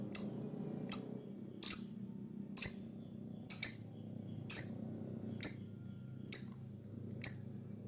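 A lovebird gives sharp, high chirps about once a second, nine in a row, over a soft low hum.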